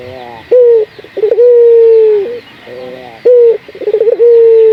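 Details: Local barbary dove calling to stimulate other doves into song: two phrases, each opening with a strong clipped note, then a quick stutter of short pulses running into a long, even, gently descending coo.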